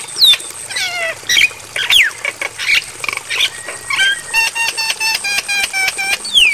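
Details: Javan myna training material played at night for caged mynas to learn: varied sweeping whistles, falling slurs and harsh notes, followed by a fast run of clipped, stacked chirps repeated about five times a second.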